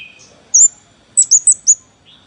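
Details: Scarlet-backed Flowerpecker giving thin, very high ticking chips, one then a quick run of four, sharp and metallic, used as a lure sound.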